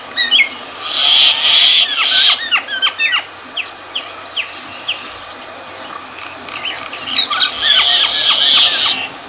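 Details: A myna gives a loud, harsh rasping squawk, followed by a string of quick downslurred whistles and chattering notes, and another rasping squawk at the close.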